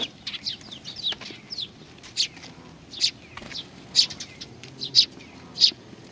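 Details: Several sparrows at Tenmangu, Nakanoshima, 21 June 2020, coming to be fed: a busy mix of soft twittering notes and louder high chirps, building toward strong, evenly spaced calls near the end.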